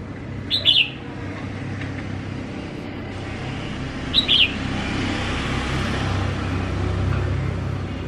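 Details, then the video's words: Tamed red-whiskered bulbul, used to people after a week, singing; two short whistled phrases around four seconds apart, each a quick rising-falling pair of notes, over a steady low hum and distant traffic rumble. "Chào mào thuần sau một tuần đã hót và dạn người"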